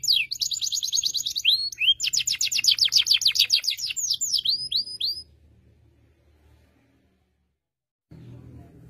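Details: Young canary learning its song beside a strongly singing tutor canary: fast, bright chirping trills and rapid repeated high notes with down-slurred whistles for five seconds, then near silence and a low rumble at the end.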